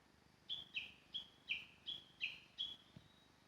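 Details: Japanese bush warbler heard in the mountains, bird unseen, recorded by smartphone while walking: a quick run of seven sharp high chirps, each dipping slightly, evenly spaced about three per second, over faint low rustling.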